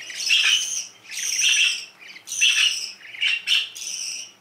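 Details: High, chattering canary phrases come in irregular bursts, some longer and some clipped, mixing buzzy tones with sharper chirps over a faint hum.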